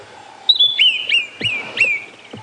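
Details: A White-browed Scrub Robin call played back as a reference recording: a high, thin whistled phrase of several sweeping notes with sharp clicks, repeated quickly over about two seconds; the species has multiple calls and mimics well.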